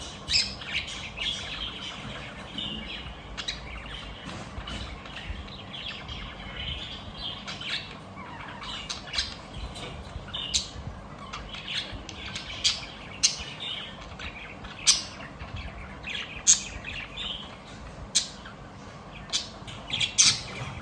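Budgerigars chatter steadily with bright, scratchy chirps and sharp squawks over a constant background hiss.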